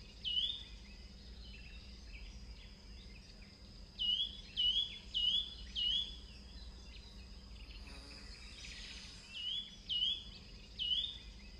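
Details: A Yunnan nuthatch perched on a limb in a southern Chinese forest gives short, high, upslurred notes in loose groups, about two per second, against a steady insect hiss and a faint rustle.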